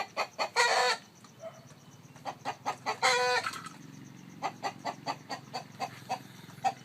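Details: Chicken at a nest where a hen sits on eggs; irregular, sharp clucks with two loud, harsh squawks of about half a second near the start and middle, then a quicker run of clucks.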